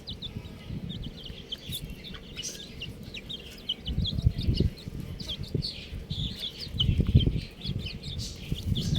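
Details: Constant high, rapid cheeping from a group of buff chicks, tiny notes tumbling over one another, while bursts of low thudding and rustling swell near the middle and end.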